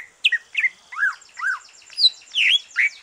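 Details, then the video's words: Green leafbird that has finished moulting sings to stimulate other birds: quick chirps and slurred notes bending down then up, delivered rapidly and irregularly over a thin high background trill. "Kicau santai cucak ijo,,rangsangan cucak ijo selesai nyulam"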